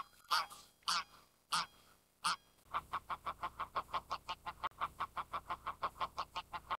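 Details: Swan goose (Anser cygnoides) giving four loud, drawn-out honks, then a fast run of about twenty short clipped honks, roughly five a second; a Graylag Goose may be calling too.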